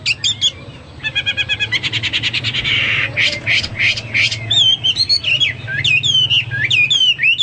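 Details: ['Energetic Hwamei song mixing fast rattling note trains, harsh broad bursts and a string of clear, sharply inflected whistles rising and falling, delivered nearly without pause above a steady low hum.']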